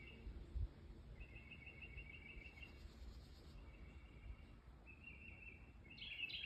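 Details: Birds singing in woodland: thin, high whistled notes held level, several in a row, then a brighter twittering phrase at the end, over a soft steady background hiss.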